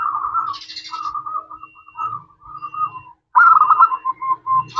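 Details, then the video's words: Local zebra dove singing as a lure for other doves: a string of short, warbling, trilled whistle notes in an uneven series, ending in a louder, faster bubbling burst. "Perkutut lokal gacor suara kristal, ampuh untuk pancingan langsung nyaut"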